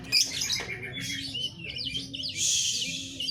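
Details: Brief burst from an Oriental magpie-robin (kacer), with high squeaky whistles, a quick warbled flourish and a louder harsh churring passage at the end, against a faint hum.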